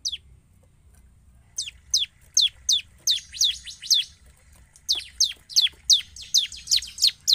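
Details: Bar-winged prinia in lively 'gacor' song, played as a lure so other prinias respond: after a quiet first second and a half, steep high descending chip notes repeat about three per second in two runs.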